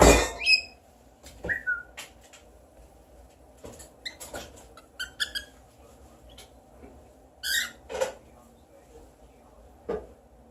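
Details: Pet parrot indoors imitating whistles and a person's sneezing: scattered short whistled notes and sharp, sneeze-like bursts separated by pauses, over a low room hum.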